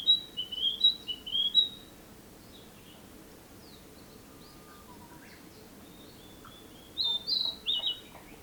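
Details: Narcissus flycatcher song from 2017: bursts of high, sweet whistled and slurred notes open and close the recording, separated by several seconds of near quiet with faint distant chirps.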